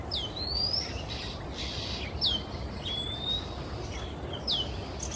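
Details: Male Oriental Magpie-robin singing in Singapore on a quiet afternoon. Quick down-slurred notes alternate with long, level, rising whistles, and harsher scratchy bursts punctuate the song over steady low noise.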